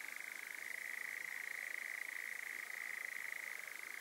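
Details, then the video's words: A nightjar's churring song: a steady, unbroken mechanical trill held at one fairly high pitch for the whole four seconds, with only a faint background hiss. "nightjar song"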